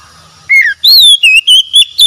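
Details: Oriental magpie-robin song as therapy for a stressed, silent bird: a short falling whistle, then six loud, evenly spaced looping whistles, each bending down and up.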